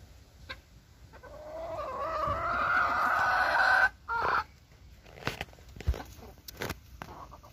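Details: Booted bantam hen kept in a kitchen garden giving a slowly rising, strained call for about two seconds, then a short clipped note, followed by scattered clicks and knocks.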